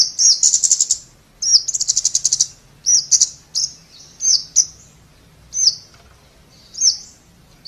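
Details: Scarlet-backed flowerpecker singing: very high, thin notes, sharp single zips alternating with fast buzzy trills of ticking pulses, phrases repeated at uneven gaps with quiet pauses between.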